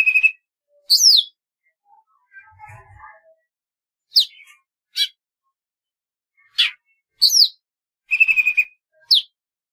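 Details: Golden-fronted leafbird singing: short loud bursts of sharp, steeply falling whistled notes alternating with a steady mid-pitched note and a trilled phrase, separated by pauses of about a second, with soft low chatter in between.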